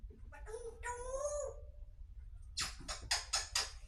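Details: Grey parrot talking in a sweet voice: a drawn-out, slightly rising whistled tone with rich overtones, followed by four quick, harsh breathy syllables in a row, over a low indoor hum.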